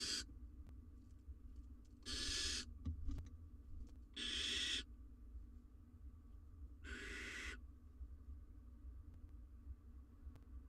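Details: Wild female barn owl at a live nest cam, incubating eggs after swallowing a mouse; harsh broadband hissing screeches of under a second each, four bursts spaced irregularly, over a steady low hum.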